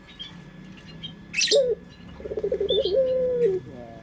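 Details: Lure song of a puter pelung collared dove: a brief wavering note, then a rapid run of pulsed coos leading into a held low tone that dips at the finish, with occasional bird chirps.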